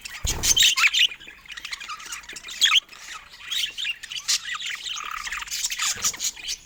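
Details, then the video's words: Colourful pet budgerigars at play together; dense, rapid high chirping and warbling chatter throughout, with a few thumps. "Adorable Budgies Playing Together"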